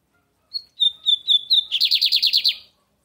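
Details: Captive lined seedeater from Brazil giving the American song type: four short, slightly rising whistles lead into a dry rapid buzzing trill of roughly nine pulses, clean and close.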